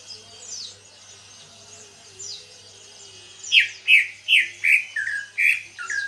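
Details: Caged greater green leafbird (cucak ijo), kept two months after buying it in heavy moult, now starting to sing at full voice: a loud run of six clear downslurred whistles about every half second, after softer high sweeping notes. Faint low hum beneath.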